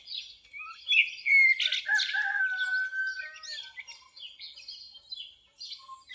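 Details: Common blackbird delivering a rich warbling phrase with a long level whistle and squeaky high flourishes, trailing into softer scattered twitters.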